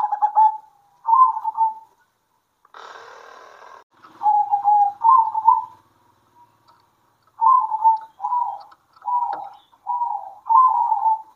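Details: Local zebra doves singing and answering each other at midday: bursts of rapid rolling coos near one pitch, phrases of about a second separated by pauses, with one brief harsh noise burst midway.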